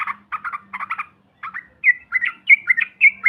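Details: Yellow-vented bulbul chatter, played to stir other birds into calling: short lower clusters of notes in quick bursts, then clearer, higher whistled notes repeated in pairs, over a faint steady hum.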